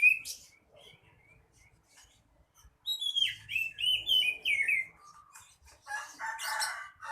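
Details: Oriental magpie-robin (kacer) in full, lively song: after scattered short chirps, a fast run of clear, rising and falling whistled phrases, followed by harsh, buzzy, scratchy notes.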